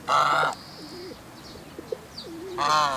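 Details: A single Chinese goose in Kamibashira Park, the only one there this year, gives two loud, harsh, nasal honks, one at the start and one at the end, each about half a second long, with faint chirps from small birds in between.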